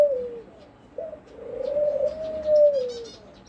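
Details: Dove giving long, smooth, hollow coos, a short falling note then a sustained drawn-out tone, over steady background hiss and faint higher chirps of other birds.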